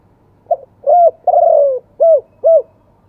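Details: Spotted dove in the wild-voice, two-kuk song style: a soft lead-in note, a coo, a long sliding coo, then two firm coos about half a second apart.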